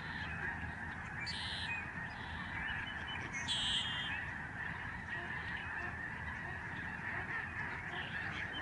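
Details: Thousands of Lesser Snow Geese in flight above a Canadian sanctuary in November 2011, producing a dense, even wash of honking calls with a couple of brief hissing high bursts near the start.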